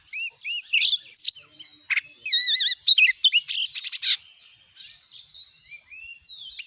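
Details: Oriental magpie-robin song used as a lure to provoke rival magpie-robins into singing: repeated arched whistles, bursts of rapid scratchy notes and buzzy chatter, fading into softer warbles before a final loud note.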